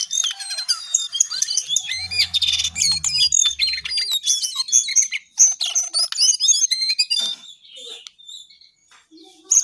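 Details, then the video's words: High, tumbling song of a lesser shortwing (cingcoang coklat): fast chirps and bright whistles in a dense stream, easing to sparser notes toward the end. "Jongkangan/Cingcoang coklat paling gacor"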